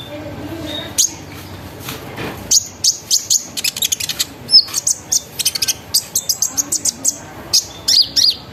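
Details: Vigorous sunbird song used as a lure for other sunbirds: hesitant high notes at first, then a sustained chatter of rapid, very high chirps and buzzy trills.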